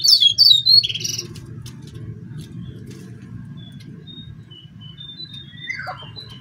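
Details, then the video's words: Brown fulvetta in the wild on an afternoon, at a spot where the birds gather, recorded while a lure call was being played: a burst of high, sharp chirps, then thin scattered whistles and a falling slurred note, over a steady low rumble. "Burung Jongkangan /Cingcoang coklat"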